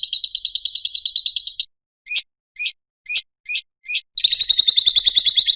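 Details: Lovebird ngekek trill for luring and training other lovebirds: a fast shrill trill, five separate sharp chirps spaced about half a second apart, then the rapid trill starts again.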